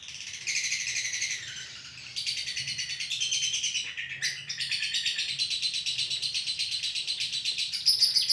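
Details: Lovebird delivering a long ngekek: bursts of dense, high, scratchy chattering separated by two brief lulls, then a sustained rapid trill that continues to the close.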